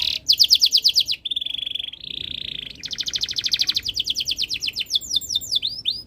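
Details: A canary in breeding condition keeps singing to set other birds off: a sharp trill, two flat sustained rolls, then a long quick trill that turns into high looping sweeps.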